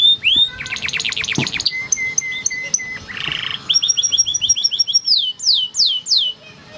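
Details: Yellow canary singing for training: varied phrases with a fast chattering series, steady flat whistles, a short buzz, a rapid trill, then descending whistled sweeps.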